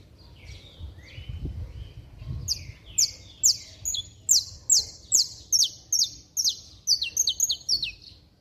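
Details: Saffron finch singing strongly, used to rouse other saffron finches: a few quiet notes, then a steady train of loud, crisp descending chirps speeding up toward the end, with a couple of low thumps early on.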